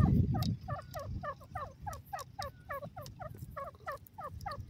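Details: Indian francolin, called dakhni teetar, giving a rapid run of squeaky, clipped notes, each bending up then down, repeated roughly three times a second at an uneven pace, with a low rumbling thump at the very start.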